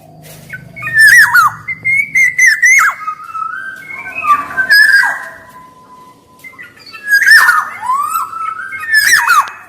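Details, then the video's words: Black-naped oriole in energetic song, intended as a master recording for all kepodang: bursts of fluty whistles and descending slurs with loud raspy notes, a quieter stretch midway before the singing resumes. "SUARA KEPODANG EMAS GACOR"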